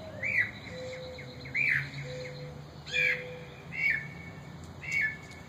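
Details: Mockingbird parents in a yard with newly fledged young: a sharp, rasping call repeated about once a second, five times, with a faint low whistle behind.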